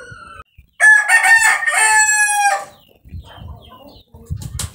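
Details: A silver Polish rooster, second place in a breeder's top five, gives one loud, drawn-out harmonic crow lasting nearly two seconds, then falls quiet amid low rustling and faint knocks.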